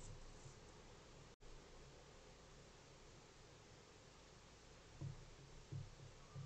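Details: Low steady hum and faint rustling in a quiet indoor space, broken by a brief dropout and a few soft thumps near the end; no animal sounds heard.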